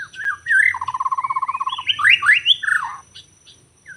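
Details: White-rumped shama in forest, recording made during bird trapping, Lombok: short whistles lead into a steady rapid rattle, then loud sweeping rising and falling whistles before a quiet close.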